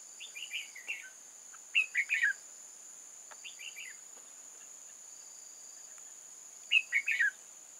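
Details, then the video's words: Decoy red-whiskered bulbul used for trapping wild bulbuls, recorded 8 October 2018. It gives bright, slurred, warbling phrases in bursts of three to four notes, the loudest spaced about five seconds apart, over a constant shrill insect hum. "Bẫy chào mào Rừng già chơi lăng xăng"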